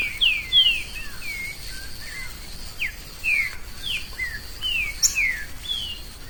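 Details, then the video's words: Free-living green-winged saltator in the woods, its song a lively series of bright, downward-slurred whistles, a few short upswept notes mixed in, against a persistent high-pitched insect buzz. "Trinca ferro solto no mato"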